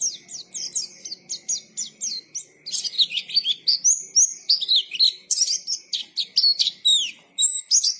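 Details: Energetic white-eye song, called 'gacor ngalas': dense, high, twittering phrases of quick chirps and sweeping whistles, some rising and some falling, repeated about twice a second in an uneven rhythm.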